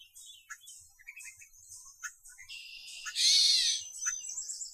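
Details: In late spring at a beaver pond, a Gray Catbird gives a jumble of quick, high squeaky notes, then a louder harsh, raspy burst near the end; faint music may sit underneath.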